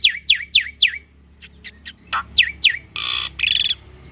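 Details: Black-winged starling in chatty, full-repertoire singing meant for training young or lazy starlings to sing: four sharp descending whistled notes in quick series, a few soft notes, two more whistles, then two harsh buzzy bursts.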